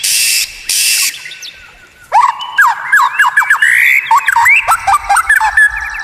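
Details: Two harsh, noisy rasping bursts open this stretch of white-rumped shama tutor song with rare, strange sounds; after a brief lull comes a dense tumble of varied, fast slurred whistles and chips.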